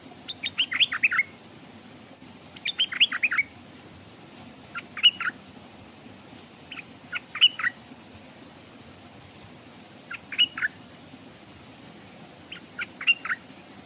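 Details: Caged decoy Stripe-throated bulbul hung by a stream while wild birds approached but did not dare land. Short clusters of sharp, warbling chirps repeat every two to three seconds, six phrases in all, against faint low background noise.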